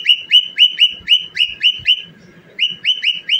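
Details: Cockatiel song during dancing: clear rising whistles repeated about four times a second, a short pause, then the series resumes.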